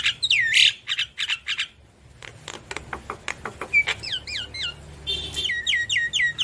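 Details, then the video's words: Javan myna singing energetically while nodding its head, used to provoke reluctant mynas into answering: sweeping whistled slurs and harsh bursts, a pause, then a fast series of dry clicks and downward-bending whistled notes repeated in quick rhythm. "Jalak kebo Gacor Manggut Manggut Memancing Emosi Jalak Kebo Malas Bunyi Langsung Nyaut"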